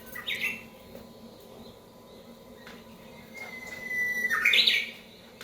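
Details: Wild Japanese bush warbler that came inside a house after a recording of its song was played: a short bright note, a pause, then a long level whistle followed by a quick tumbling flourish, heard in a quiet room.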